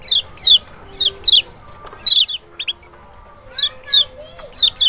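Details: Lemon-bellied white-eye (Zosterops chloris maxi, Lombok or Sumbawa), song used as a lure to provoke a reluctant bird: bright, high, sharply descending whistled notes, often in quick pairs, repeated roughly every half second.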